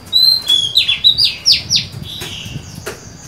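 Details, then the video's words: Female Oriental magpie-robin, a kept bird, singing to attract a male, 23 July 2020: a softer run of quick buzzy falling sweeps after a short whistle, fading into a quiet hiss. "Chòe than mái mới: 23/7/2020; hót hay, kích bổi máu chiến!"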